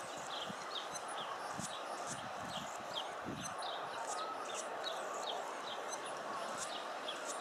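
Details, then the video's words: A hummingbird gives high, thin, squeaky chips in quick irregular bursts over a steady background hiss, with a few soft low thumps. "hummingbird making noises"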